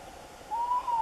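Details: Hooting tawny owl: one drawn-out, mellow note that rises gently and then fades down, against faint constant hiss.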